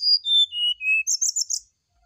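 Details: Brown-chested jungle flycatcher giving its morning fluting song as a prompt for a reply. Four clear whistles descend in steps, then a quick high buzzy trill ends the phrase.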